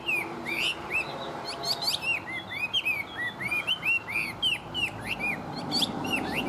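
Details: Chinese hwamei, a tame captive bird singing strongly, pours out a lively stream of slurred whistles and upward sweeps, broken by high sharp trilled notes, repeated rapidly over several seconds.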